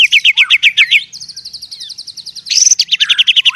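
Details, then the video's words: White-rumped shama (murai) singing while fighting in the forest: rapid high chattering trills of repeated notes, several bursts at about four per second, shifting pitch between phrases, with a sharp rising whistle midway. "SUARA MURAI TARUNG DI HUTAN"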